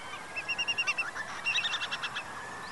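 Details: Black-tailed godwit giving a short run of evenly spaced, sharp, high notes, then a quicker chattering burst, over a steady background hiss.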